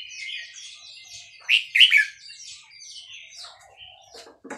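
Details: Red-whiskered bulbul of the Burmese type at Dan Singkhon, singing short bright warbled phrases with loud clustered whistled notes near the middle, then softer trailing twitters and a few sharp clicks at the end.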